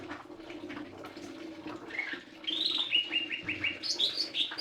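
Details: Lesser green leafbird song: a run of clear whistled notes, some rising and falling, stepping down then climbing higher near the end, over a steady low hum.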